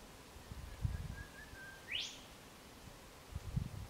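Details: Spotted Pardalotes selecting a nest site, Chiltern Track, Ku-ring-gai Chase National Park, NSW, early September 2016: faint low level whistles leading into one steep upward-sweeping high note, with rustling and soft thumps around.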